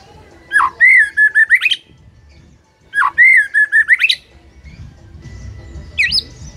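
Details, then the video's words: White-rumped shama singing two loud phrases, each opening with a rising whistled sweep, then a run of five quick clipped whistles and an upward flourish, with a brief high note near the end over faint low background rumble. "3 DETIK MAMPU ATASI MUTAI BISU SONTAK NGAMUK PLUS GACOR KOAR KOAR"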